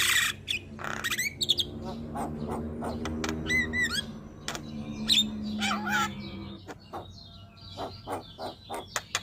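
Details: Javan myna (jalak kebo) song intended as a master recording to stimulate other birds, with harsh squawks, rising whistled notes and chattering phrases over a steady low droning hum that stops partway through.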